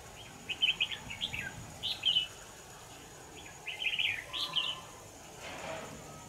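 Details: Red-whiskered bulbul singing at a decoy trap on 25 November 2018: lively clusters of high, liquid, chirpy notes in two main bursts, followed by a quieter stretch with faint background noise.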